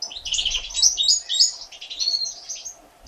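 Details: Three one-day-old European goldfinch chicks, hatched 1 April 2017, being fed by their mother: rapid high thin cheeping and twittering notes, packed closely together and ebbing after two and a half seconds.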